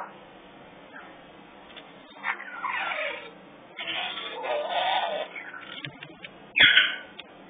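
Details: Three African grey parrot chicks at a parrot rescue give raspy, noisy calls in bursts, one sliding downward in pitch, then a longer rough squawking stretch and a short sharp cry near the end, indoors.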